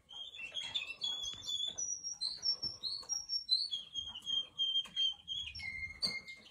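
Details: Russian canary delivering clear whistled phrases: short held notes at varied pitches, then a long steady whistle and a lower sustained tone, spaced roughly one per second.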